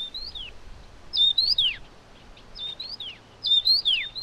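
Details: Taiwan yuhina, while feeding hungry chicks, giving thin, high squeaky chirps that rise then drop sharply, in short bursts about every second, over faint background hiss.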